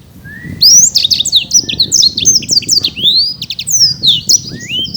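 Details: Energetic song of a champion caged Black-throated canary in Bekasi, Indonesia: a low rising whistle opens a fast chain of high, twisting chirps and upslurred notes, with low background noise throughout.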